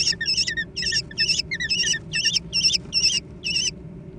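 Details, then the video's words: Food-fight squealing of young American kestrels: repeated high, quavering trills with lower chirps mixed in, about two and a half per second, then quiet. "小隼的搶食大戰 (American Kestrel)"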